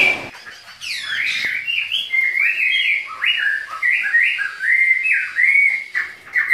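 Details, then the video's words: Two Chinese hwamei in an energetic duet. A sharp downward sweep opens a lively chain of clear whistled notes, each phrase rising and falling, repeated with small variations and brief breaths between. "DUET MAUT BURUNG HWA MEI GACOR"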